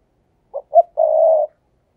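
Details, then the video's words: Spotted dove cooing in the 'thúc gù' style, a call used as a lure to draw wild doves: two short clipped notes followed by one long, steady, mellow coo lasting about half a second, clean and close with no other sounds. "cu gáy, Mồi cây thúc gù chuẩn căng đét"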